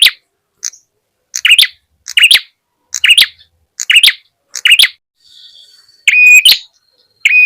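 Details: Ashy tailorbird, the red-headed prenjak tamu, in a lure recording meant to draw wild birds close: sharp, high chirps with a brief rising tonal note, given in loose bursts about every half second, with a short gap near the end.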